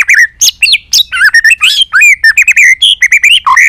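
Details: White-rumped shama singing a many-voiced song used to stimulate and train other shamas; loud, rich run of varied whistled phrases, sliding and warbling notes in quick succession with almost no pauses.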